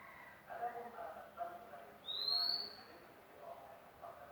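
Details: Magpie-robin, recently acquired and just begun to sing, gives a single high, pure whistle that climbs gently and lasts about half a second, with soft muffled background sounds before and after.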